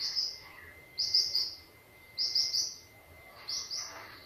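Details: High, bright phrase from a White-rumped shama lure recording, meant to set other birds singing: a short chirping burst repeated four times at roughly one-second intervals, over a thin steady background tone.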